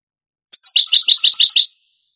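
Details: Singing European goldfinch in the Granada style, from a 1980s–90s Spanish cassette later put on CD: a high clear whistle slides into a brisk series of about ten bright, buzzy, repeated notes, over in just over a second.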